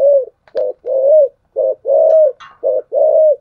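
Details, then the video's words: Spotted dove in thổ sấm voice, thúc gù cooing: a short coo followed by a longer, smooth, level coo, the pair repeated steadily about once a second, with faint higher chirps between. "cu gáy giọng thổ sấm thúc gù quá hay"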